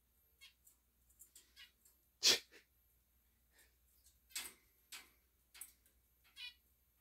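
A male zebra finch gives short, nasal, buzzy calls, answering a person's repeated 'ee' sounds.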